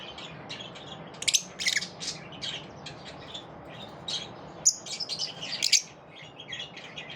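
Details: Group of lovebirds repelling each other: scattered thin chirps and squawky notes from several birds, quieter stretches between louder clusters near the end, in an indoor-sounding space.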